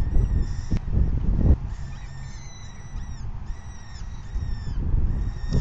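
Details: Falcons begging at the nest as food arrives, fifth feeding on 9 May 2020 at 4:40 PM. After bursts of low thumping noise, a run of harsh, slightly arched squeals follows in quick succession, backed by a continuous low rumble.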